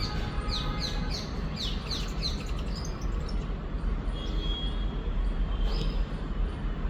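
A sunbird gives a quick series of thin, high chirps, several a second for about two seconds, then a few scattered notes over a steady low rumble.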